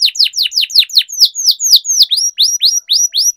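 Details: Canary in full song, recorded to teach young canaries and stir quiet ones into singing: quick falling whistles give way to slower drawn-out downslurs, then rising hooked notes about four per second.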